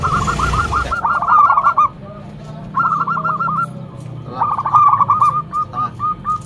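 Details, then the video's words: Loud local zebra dove lure bird delivering three runs of rapid, evenly spaced whistled coos, the last trailing into slower separate notes; a short rustle opens. "Perkutut lokal gacor mental bagus suara NYARING pikat super"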